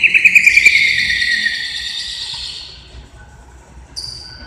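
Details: Greater green leafbird from Indonesia, recorded 29 January 2021: a short, loud, descending trill at the start, trailing off into a fading whistle, with a thin high note near the end.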